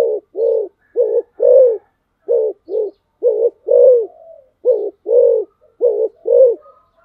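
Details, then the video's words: Fast 'thúc gù' cooing from a spotted dove: around six brisk couplets of soft, resonant low coos delivered in quick succession, each pair a short note then a slightly longer one. "cu gáy tốc độ/ Cu gáy thúc gù"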